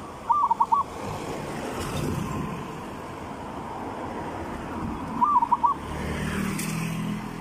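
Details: Zebra dove lure song, southern Thai three-provinces style: two short bursts of quick, rolling coos about five seconds apart, heard over steady traffic-like rumble and background noise.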